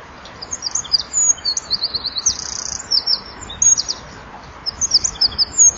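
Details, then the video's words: Eurasian wren singing at dusk on a winter evening, 23 January 2014 at 17:33, at a nest-wall camera, fluttering its wings as it sings; very high, rapid trills and sharp bursts of notes, pouring out in quick succession with short breaks. "WK zingt voor zit er ook een achter"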